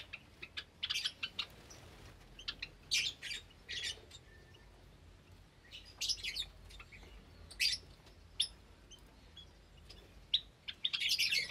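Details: Captive Java sparrows and recently hatched chicks in an aviary on the morning of 8 May 2022. Bursts of sharp, high chips and tweets are scattered through the clip, with a denser chattering run at the end.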